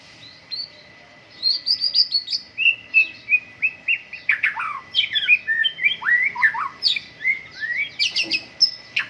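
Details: White-rumped shama singing at morning dew airing, a rich fast medley of whistles, sharp downslurred chips and high trills, building into dense rapid phrases after a quiet start.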